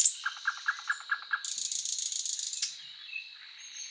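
Thrush Nightingale song: about six deep, clicking notes repeated at five per second, then a dry, buzzy rattle, then a few soft high notes.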